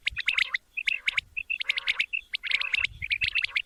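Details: Male quail (batair) calling, in a recording intended for morning hunting. Dense, fast chirping notes are stacked in quick bursts, mixed with harsher buzzy calls throughout.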